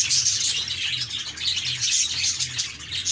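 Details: Pet budgerigars, a group of happy budgies, chirping together: a dense, continuous high warbling chatter of overlapping squeaky chirps and trills, with no pauses and a faint low hum underneath.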